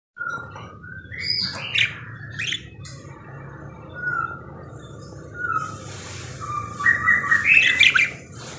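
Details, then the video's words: Caged parakeet singing actively: scattered chirps and short whistled notes with rising squeaky bursts, rich chatter toward the end over a low steady background hum. "BURUNG PARKIT GACOR CANTIK"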